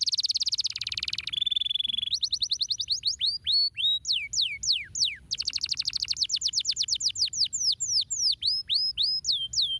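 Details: Bright canary song: a fast buzzy burst and a steady whistled tone, followed by looping downward slurs and an extended quick trill that slows into spaced falling notes.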